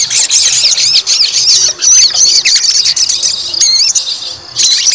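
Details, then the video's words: White-rumped shama singing when provoked to fight: a dense, high, chattering stream with a few distinct whistled notes and a brief pause near the end. "PANCING EMOSI TES MENTAL FIGHTER SOGON"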